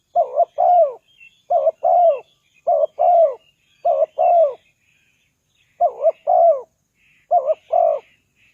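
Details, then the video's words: Spotted dove call used to lure wild doves, a run of seven rapid two-part coos, short wobble then falling drawl, with a gap midway and faint high chirps of small birds behind. "Chim cu gáy chiêu kích mồi tập bổi nhanh nổi hiệu quả"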